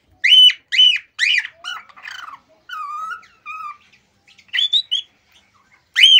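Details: Loud, harsh-edged whistles from a male cockatiel in excited mating song open the sequence, followed by softer lower sliding notes and a return to bright, sharp calls.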